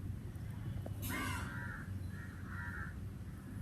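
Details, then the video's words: Crow calling in summer air: one loud rasping caw followed by two softer, shorter caws, against heavy low rumbling noise. "sounds of the Crow"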